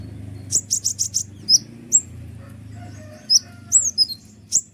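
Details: Kolibri ninja sunbird in full noisy song, used as a lure and to excite birds that are slow to sing: a rapid run of five high chips, then scattered sharp downslurred whistles over a steady low hum.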